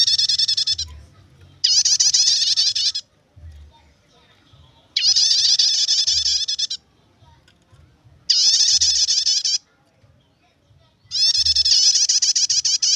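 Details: Nyetater-style chattering song of a prinia, meant for luring or tutoring birds: four separate bursts of fast, shrill, rattling notes, each lasting one to two seconds, with silent gaps between and a soft low hum.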